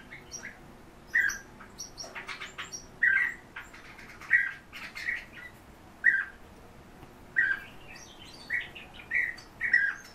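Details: European bee-eaters raised in home breeding, calling repeatedly with short burry notes roughly every second, accompanied by clattering and rustling sounds through the cage.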